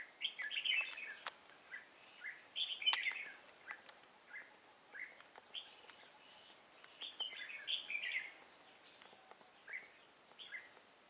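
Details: Red-whiskered bulbul, an old wild-caught bird, in fighting song: short warbled phrases of a few bright notes come in bursts every second or two across eleven seconds, over faint clicks and a steady high hiss.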